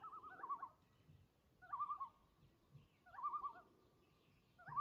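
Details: A loon at Lake Vermillion calls and is answered: quavering, wavering mid-pitched calls in short bursts, repeated about every one and a half seconds, over a faint low rumble.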